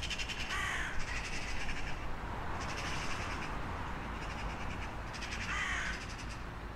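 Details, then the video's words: A crow gives two separated harsh caws, one near the start and one near the end, with a constant low background hum throughout. "Cum face pasarea cioara?Sunete de ciori. Sunete de pasare cioara.Video cu ciori.Sunetul ciorilor"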